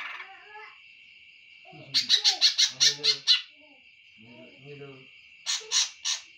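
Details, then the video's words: Greater green leafbird singing a series of about eight sharp, evenly spaced notes, followed by a few shorter notes, over a steady high-pitched drone and softer low twittering. "cucak hijau"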